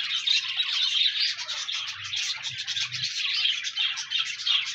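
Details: Budgerigars kept as pets, their song meant to encourage a lonely pet budgie to sing: busy, unbroken chatter of squeaky, buzzy trills and clicks from several birds, with a faint low hum underneath.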